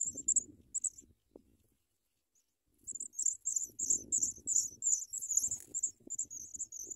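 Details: Sprague's pipit young receiving big worms from a parent. A few high squeaks, a near-silent pause, then a long, insistent series of shrill chirps, with light rustling underneath.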